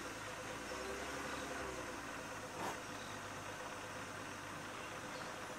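Quiet idling engine hum with a soft broadband hiss and a brief knock midway; no animal voices.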